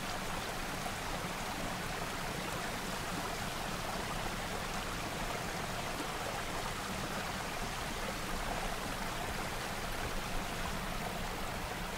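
A steady rush of flowing stream water fills the recording, with no animal calls standing out.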